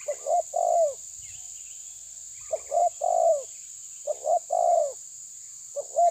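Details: Spotted dove of the tabir style pressing a rival, giving low mellow coos in three phrases about every one and a half seconds, each a short note and then a longer throaty coo, with faint higher chirps and a steady high hiss behind.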